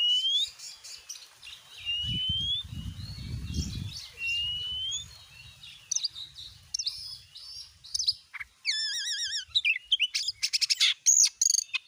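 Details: Oriental magpie-robin lure song to make a kept bird start singing: repeated upslurred whistles, then a wavering trilled phrase and rapid scratchy notes; dull low rumbling early on.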